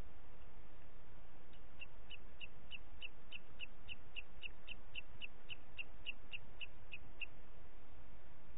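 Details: A booted eagle recorded at 11:01 on 30 June 2021 in Parc Natural dels Ports repeats around twenty short, high, sharp notes at a steady rate of about three per second, against continuous low background noise.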